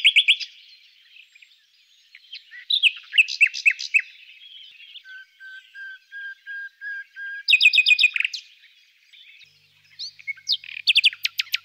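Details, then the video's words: A common nightingale sings loud, varied phrases of rapid trills and chattering notes, with a run of soft, pure, evenly spaced whistles in between. "Usignolo comune"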